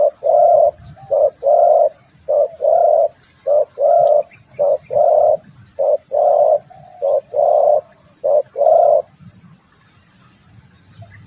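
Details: Spotted dove cooing, a call used for luring birds, with a steady series of short and long coos alternating over about nine seconds before falling quiet.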